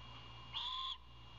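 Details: One drawn-out hissing screech, just under half a second, from an owlet begging its parent for dinner, with a low constant hum.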